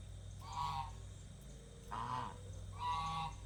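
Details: Domestic geese kept in a pen, fed and given fresh water: three loud, reedy honks about a second and a half apart, each a short harmonic blast, with a low droning hum behind.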